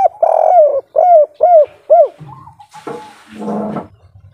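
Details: Spotted dove of local Indonesian stock with a mature 'kuk 3' style voice, played to stimulate other doves to sing: a run of five loud, arched, hollow coos in quick succession, followed by a soft trailing coo and a burst of rustling noise.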